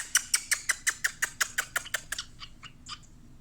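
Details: A male pet cockatiel, asked by its owner for kisses, makes a rapid run of about a dozen sharp, smacking kiss sounds, roughly six per second, that fade into a few softer smacks at the end.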